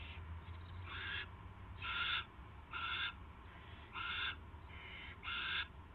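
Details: Owl calling as a rat is delivered, recorded March 2, 2016 at 7:05 PM: six harsh, hissing screeches about half a second each, spaced roughly every second, over a steady low hum.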